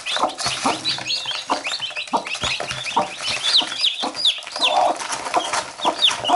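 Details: Mother hen with her chicks, the chicks biting her and the hen picking at them in return; dense overlapping high chick peeps and chirps over soft, low, irregular hen clucks, busy and continuous throughout.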